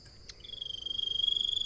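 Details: Common iora's high, level trill, rapidly pulsed and growing louder over under two seconds, preceded by a short sharp click; a faint high hum underlies it.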